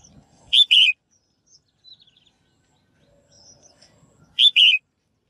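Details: A female bird calls to prompt males to sing. Two loud paired buzzy notes come roughly four seconds apart, with near silence between them.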